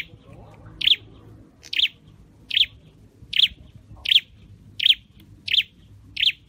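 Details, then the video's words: Caged scarlet-headed flowerpecker under singing training: after a quiet start, a regular string of sharp, thin, high chirps roughly every three-quarters of a second over faint low hum. "Deep red-headed birds(Dicaeum Trochileum): Birds thoroughbred training for singing chirped"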